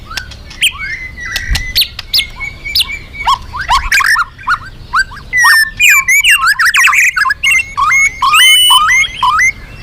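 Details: Magpie-robin song used as a lure for other birds: loud, varied whistled phrases, rising and falling notes with sharp clicks, becoming a rapid run of repeated bright whistles near the end.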